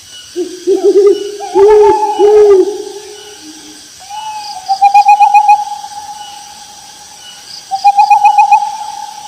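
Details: In the fields an owl gives several low hoots, then switches to higher, rapidly pulsed trills lasting about a second, repeated after a pause, against quiet background hiss.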